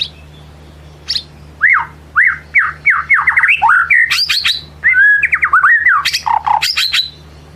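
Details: White-rumped shama in full ngelemak song, played to lure another shama into revealing its repertoire: a long, varied series of loud rising and falling whistles, swooping notes and sharp high chips in quick succession.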